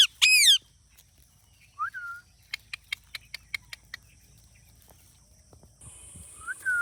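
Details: Talking Indian ringneck parakeet kept as a pet: a loud rasping screech, short whistled slurs, then a run of sharp clicking ticks, over a constant high electronic hum.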